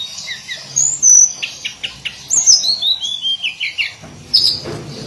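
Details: Daily song of a hill blue flycatcher, locally called tledekan gunung: high, sweet whistled notes with descending slurred phrases and a few short chips, ending in a bright whistle.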